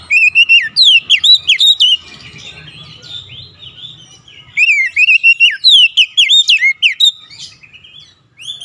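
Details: Oriental magpie-robin (kacer) singing persistently, two long runs of loud, varied whistles, slurs and quick rising and falling notes with a softer interlude between them.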